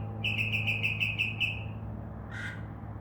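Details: Northern mockingbird singing from a tree at night and imitating sounds such as crow caws: a fast run of about eight quick whistled notes, then a single harsher, hoarse note after a pause, over low hum.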